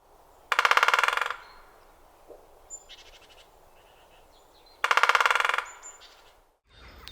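Great spotted woodpecker drumming: two rapid, dry wooden rolls, each under a second, about four seconds apart, with faint small-bird chirps in between.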